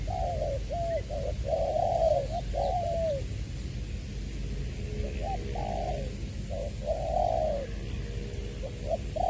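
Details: Spotted dove kept as a decoy bird in Long Đức, Trà Vinh, recorded 22/2/2021, singing in the 'giọng tiểu' voice style: mellow hooting coos in short phrases, some with a rising lead-in note, over a steady low rumble.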